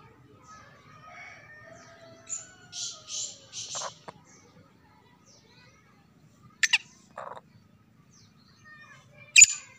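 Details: Black francolin calling: a run of four harsh, buzzy bursts, then a pause before two more short rasping notes and a final sharp note. Faint thin whistles sit in an otherwise quiet background.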